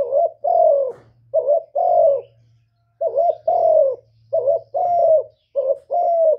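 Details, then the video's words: Spotted dove giving repeated two-part coos. A short quavering note leads into a longer, drawn-out hoarse coo. Four such phrases come in quick succession over a faint low hum. "CU CƯỜM GÁY"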